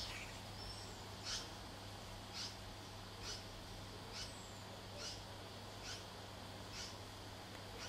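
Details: A juvenile common koel in a backyard, apparently being raised by a red wattlebird, gives short, harsh, raspy notes, repeated roughly once a second; a thin high whistle from another bird and a low steady hum underneath.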